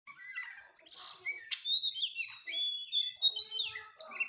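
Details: Oriental magpie-robin (kacer) singing a rich, varied song of high whistles, sweeps and chirps, one short phrase after another with brief gaps.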